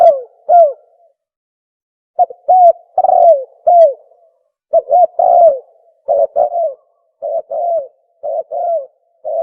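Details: Spotted dove calling, meant to stimulate males and females: deep throaty coos in clustered phrases, each note dipping slightly, repeated steadily after a brief pause, against a silent background.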